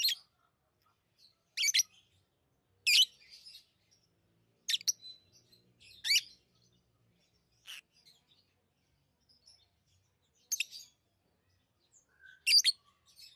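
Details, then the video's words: Tame lovebirds producing loud piercing chirps, single or in short pairs, separated by gaps of one to two seconds, with soft twittering and faint squeaks between them. "Love birds Sounds | lovebirds chirping sounds| parrot beautiful sounds"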